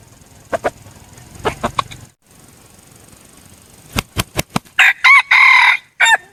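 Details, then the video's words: Red junglefowl used as a decoy: soft taps, then sharp clicks, then a short raspy four-part crow with a held middle note. "ไก่ต่อ เสียงไก่ต่อ ไก่ป่า"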